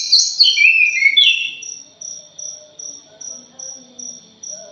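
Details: Orange-headed thrush lure song, punglor jali style: it opens with a loud cascade of descending, slurred whistled notes lasting over a second, then fades to rhythmic high ticking pulses like a cricket.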